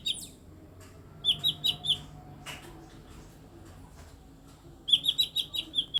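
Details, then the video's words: Eight-year-old caged mini blue-winged leafbird giving unusual vocalisations: rapid strings of high, clipped chirps, five or six per burst, separated by a few seconds of quiet with a faint click midway. "CUCAK IJO MINI BERSUARA ANEH"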